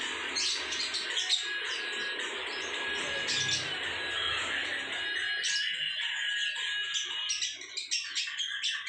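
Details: Lovebird giving ngekek, a long rapid chattering song, used as a tutor recording for ngecor singing; dense high-pitched twittering and chatter runs continuously, with sharper squeaky notes and brief breaks toward the end.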